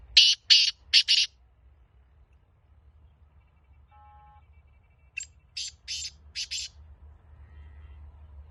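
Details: Black francolin (kala teetar) of the Pure Laka antique breed: two harsh, grating phrases of four to five rapid clipped notes, one at the start and one after a few seconds of quiet, with a faint tonal hum between them.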